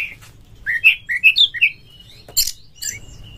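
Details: Oriental magpie-robin fighting-style lure song: a run of five or six full, rounded whistled notes, each rising or falling, then a harsh scratchy burst and a thin high whistle.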